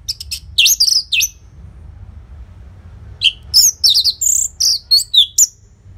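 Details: Loud song of an orange-headed thrush played to coax caged birds into singing, with short pauses between phrases: a burst of high slurred whistles, a long gap, then a quick sequence of varied sharp, descending notes.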